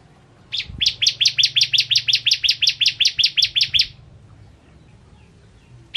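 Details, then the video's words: Bar-winged prinia in energetic master song: after a short silence, a rapid train of piercing chirps runs for about three seconds at a steady five per second, followed by stillness and the start of another phrase. "Burung Masteran Ciblek Kristal Gacor"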